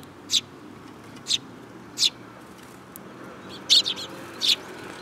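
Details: At a Tenmangu shrine on 8 July 2022, sparrows come to be fed, sounding a string of bright, short chirps, single at first, then a quick double and another single.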